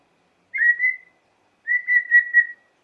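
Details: White-rumped shama song played to stir up other shamas: two even, steady whistles, the second longer and slightly wavering, separated by a second of silence.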